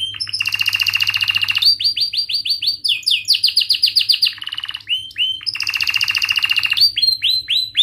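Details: Canary in full song, used as a lure to teach young birds to sing. Sharp, high trills and rapid rolling chirp series follow one another, with about three to four notes per second in places, then a buzzy roll and more looping rising chirps.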